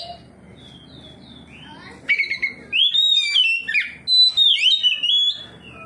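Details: Oriental magpie-robin replying to another of its kind in full ngeplong song, showing its learned phrases. Soft high notes open, then loud ringing whistles, rapid slurred runs and sweeping up-and-down trills, ending with quiet background.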